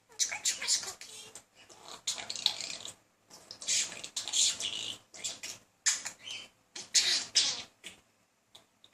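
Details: Male talking budgie persistently chatting up a female budgie indoors: a dense run of rasping, buzzy warbles and squeaky notes in uneven bursts, with a few brief silent gaps.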